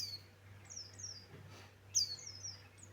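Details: White-eye of the Buxtoni form giving high, thin whistles that slide downward, in two short bursts with a quiet gap between them, over a constant low electrical hum.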